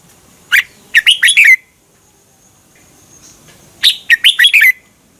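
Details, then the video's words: Red-whiskered bulbul song from Thailand, used for teaching or exciting caged birds: two matching bursts of five bright, fast warbled notes, each ending in a falling slur, separated by a quiet pause of about two seconds. "เสียงนกกรงหัวจุก สำหรับต่อ หรือ เปิดให้นกคึก เสียงเพราะๆ. นกกรงหัวจุก"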